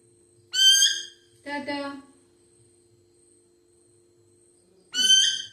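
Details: Pet talking parrot speaking Malayalam: three loud, harmonic, voice-like utterances, the first and last high and bright, the middle one lower and buzzier, separated by quiet gaps with a steady faint hum.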